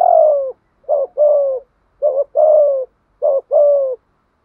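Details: Spotted dove giving an urging coo intended to provoke other doves to call; a long falling hoot, then three even phrases of clipped note plus drawn-out coo, roughly a second apart.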